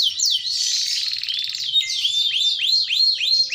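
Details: Panda canary in lively rolling song: a buzzing, mixed opening trill, then a series of arching whistled notes repeated about three to four times per second, clear and loud.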